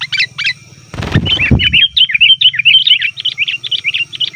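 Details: Sooty-headed bulbul lure calls for wild birds: a few chirps, a brief thumping rustle, then a steady string of quick, evenly spaced bubbly notes, over a faint low hum.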